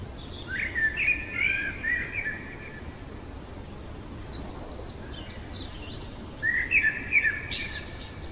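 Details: Night-singing common blackbird: two mellow warbled phrases several seconds apart, the second finishing in a squeaky high flourish, with faint distant bird notes between and a low background hum.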